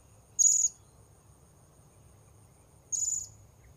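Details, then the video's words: Blue-crowned hanging parrot call, recorded while luring wild birds: two short, shrill, very high-pitched notes, each about a quarter second, spaced some two and a half seconds apart against quiet low rumble. "Memikat Serindit"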